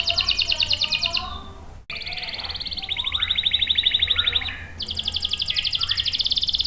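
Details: Canary singing strongly, played to lure and teach young and stuck males: several high buzzy trills and rolls separated by short breaks and slurred notes, one abrupt cut, rhythm near three pulses per second per phrase element.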